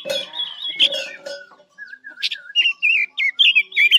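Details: Chinese hwamei song as a trapping lure: rough harmonic-rich notes at first, then low sliding whistles rising into a string of loud, twisting whistled phrases.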